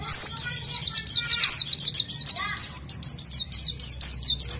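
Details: Lure song of a gacor oriental white-eye for unschooled birds: evenly spaced, bright, high down-slurred chips about five per second, with faint lower background sounds.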